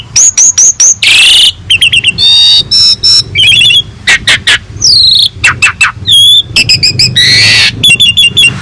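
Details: Asian pied starling (jalak suren) singing vigorously, a master recording with a rich full repertoire for training other birds: rapid high whistled notes repeated in series, buzzy bursts, sliding whistles and clicks packed tightly over nine seconds.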